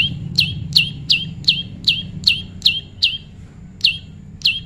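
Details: Prinia in natural pairing, close and loud: eleven sharp, high chirps each sweeping downward, delivered at a steady brisk pace with one short gap, against a quiet background.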